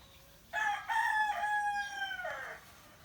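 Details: Rooster crowing in the morning, answering other roosters: one loud drawn-out crow of about two seconds, opening with a sharp stutter then a long held note that slides down at the end, over quiet background.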